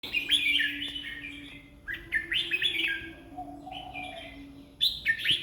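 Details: Red-whiskered bulbul said to sing 20 song phrases in one minute; three bright, warbled bursts of quick rising and falling notes, each about a second long, separated by short pauses, over a steady low hum.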